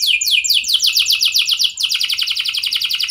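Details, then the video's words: Canary song meant to make other canaries respond; rapid downward-sweeping notes repeated several times a second, changing midway into a dense, even rattling trill. "99,99% Pasti Kenari Lain Langsung Respon Dengan Pancingan Kenari Gacor Lagu Istimewa Ini"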